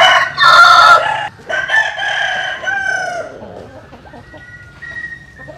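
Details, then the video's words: Close, loud dawn crow from a rooster while chickens sun themselves: a harsh, multi-part crow lasting about three seconds, then a quieter stretch with thin, distant whistled tones. "Tiếng Gáy Lúc Tinh Sương. Gà Phơi Nắng Sáng"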